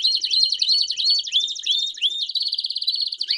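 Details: Canary delivering campainha song with chirps, meant for teaching young birds: a rattling high trill overlaid with repeated upward-slurred whistles, then a smooth even roll.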